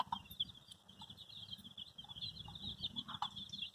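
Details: Baby chicks, dyed in bright colours, chirping while looking for their mother: a dense, continuous chorus of high, thin peeps from many chicks, with faint soft thumps underneath.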